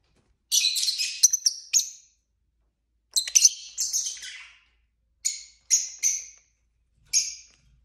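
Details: Pet lovebirds in a flock of five, singing, chirping and fighting: bright, high, harsh chirps in rapid clusters, three bursts separated by short silent gaps.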